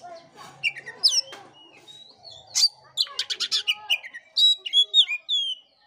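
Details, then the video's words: Oriental magpie-robin singing, offered to stimulate a listless bird: slurred descending whistles, then a rapid series of buzzy rasps and bright rising whistled phrases, steady low hum beneath. "pancingan kacer jitu dan ampuh buat kacer loyo kurang ber gairah.!!!"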